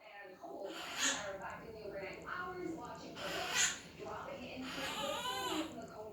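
A monk parakeet mimics a kissing "muah" that drifts into a cow-like "moo", with a person talking nearby.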